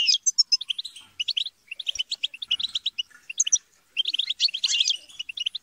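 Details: Chattering, squabbling European goldfinches meant to stimulate a goldfinch's singing; high thin whistles, quick twittering runs and a harsh buzzy flurry near the end, several birds calling at once.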